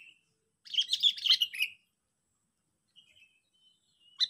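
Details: Sooty-headed bulbul calling to lure and challenge rivals: a burst of bright, jumbled chirping notes lasting about a second, then near silence with a faint thin note, and a last sharp chirp at the end.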